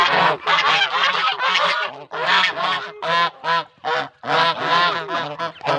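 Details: Hungry goose calling insistently with a long run of coarse, brassy honks, at first almost continuous, then breaking into separate bursts about a second apart.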